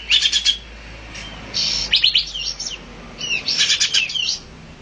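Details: Olive-winged bulbul giving three bursts of rapid, high, bright chirping notes with short quiet gaps between them.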